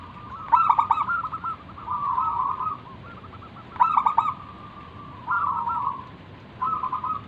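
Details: Zebra dove of local wild stock singing manggung, meant to lure other doves into calling: three stuttered, rolling cooing phrases separated by short pauses.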